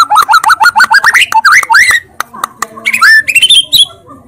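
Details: A white-rumped shama sings in loud 'tembakan' style: a fast string of short notes climbing in pitch, a few sharp clicks, then a second rapid rising series of whistled notes.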